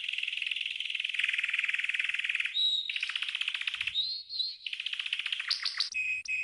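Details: Green canary training song: a long rapid buzzy trill, then a pure whistled note, a quick rattling roll, sliding whistles and a final pair of clear repeated tones.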